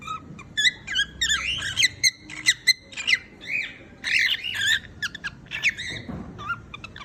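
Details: Cockatiel singing indoors: bright, warbling whistled notes that rise, fall and waver, packed closely together, with brief pauses between phrases.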